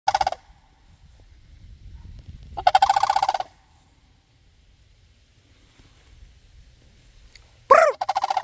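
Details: Sandhill cranes answering a person: a loud rolling, rattling call of rapid pulses lasting about a second, with cut-off bursts at the start and end and quiet pauses between.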